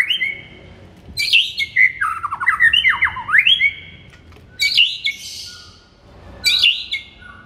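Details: White-rumped shama singing in the morning, a recording used to stir up a kept shama; loud varied song of rich whistles and harsh squawky notes in three bursts with short pauses.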